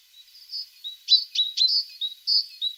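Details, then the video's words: A tit sings a short sequence of thin, high whistled notes broken by three quick downward-swept chips, then steady piping tones at the close. "The sound of a tit singing"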